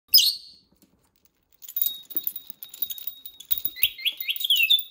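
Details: Pet rainbow lorikeet, excited by bells it loves as toys: a sharp screech at the start, then after a pause a burst of chattering, rapid buzzy calls and high descending chirps, with a thin ringing tone like a bell.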